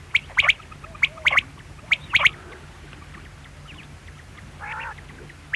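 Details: Quail calling: sharp, short high notes in quick doublets and triplets, repeated about once a second, with a brief buzzy, harmonic call near the end over low background hum.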